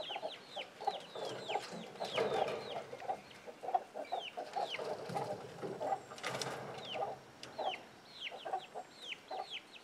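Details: Free-living domestic chickens with young chicks: a busy mix of high falling chick peeps and low rounded clucks, with a few louder rustling bursts in the middle.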